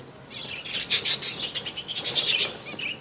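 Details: Budgerigars kept for breeding give a fast, high chattering run of bright chirped notes, roughly fifteen in two seconds, rising and falling slightly, with faint room noise behind.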